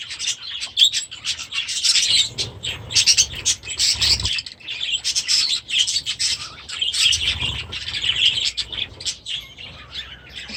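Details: Budgerigars bred last year, now grown, chatter in their new aviary during their first days there. Bursts of high chirps and warbling rise and fall, with a couple of soft low thumps, possibly wingbeats or landings.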